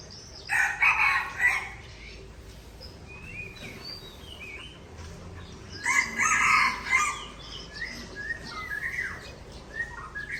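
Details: White-rumped shama of the Aceh Tangse type singing against a rival, as a harsh buzzy burst near the start and another around six seconds, with shorter whistled and slurred notes between them.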